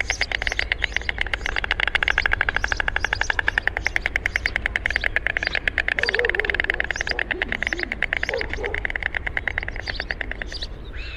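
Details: A long run of rapid, rattling clicks from a white stork that stays steady and then fades slightly toward the end. Brief soft warbling notes from another bird sound in the middle, over a constant low rumble.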